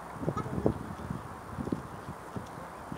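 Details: Ruddy shelducks at Andreyevsky Pond on 15 April 2017, giving short, low, nasal honks. A small cluster comes in the first second, with scattered single notes later, faint against a steady low background rumble.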